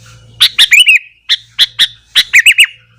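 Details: Sooty-headed bulbul singing wildly in the morning to provoke other bulbuls: rapid phrases of sharp chirps running into bubbly, hooked whistles, with three bursts in quick succession over a faint low hum.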